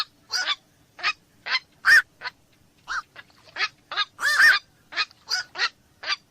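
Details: A black-crowned night heron, called koak malam, repeats hoarse, goose-like squawks at a fairly steady pace, with one longer, louder double note near the middle.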